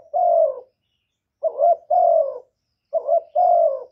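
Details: Spotted dove coo meant to lure other doves. Clean repeated phrases, each a quick wavering note then a sustained soft coo that falls away, with pauses of about a second between phrases.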